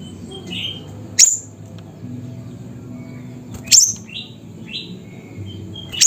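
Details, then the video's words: Siri-siri bird, Busu Reului, Mutiara, Pidie, Aceh, Indonesia: isolated sharp, very high chirps roughly every two and a half seconds, with softer rising whistles of other birds between them and low background noise. "Burung Siri Siri Nembak Suara Gacor"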